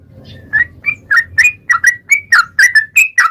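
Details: Yellow-vented bulbul giving a long 'ropel' lure song: quick bubbly whistled notes, some rising and some dropping, delivered in an uneven chattering stream over a soft low background hum.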